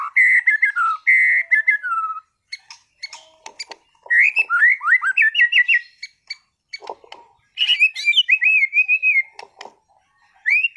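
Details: White-rumped shama kept as a contest songbird in Sragen delivers a rich song of whistled descending phrases, quick rippling note series and sharp clicks, phrases separated by short pauses.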